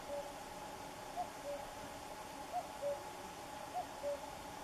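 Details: Common cuckoo repeating its falling two-note call, faint and steady, four 'cu-coo' phrases roughly 1.3 seconds apart, with a continuous noisy background.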